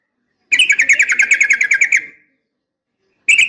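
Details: Female yellow-vented bulbul calling a male, a lure recording for training caged males: a fast run of about fifteen bright, chattering notes over one and a half seconds, then silence and a second burst beginning.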